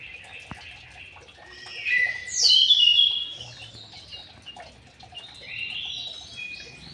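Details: White-rumped shama housed in an aviary, delivering a loud sweeping, slurred whistled phrase midway, framed by softer high chirps and a gentler warble toward the end.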